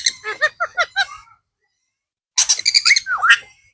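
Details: Pet blue ringneck parrot talking indoors: a run of five quick, clipped, voice-like syllables, a pause, then a harsher burst of buzzy chattering notes ending in a swooping slurred phrase.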